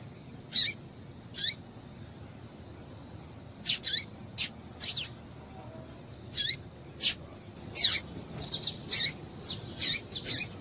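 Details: Calls of a female double-collared seedeater used to stimulate males: sparse high downslurred chips early, then a denser cluster of quick sharp chirps near the end.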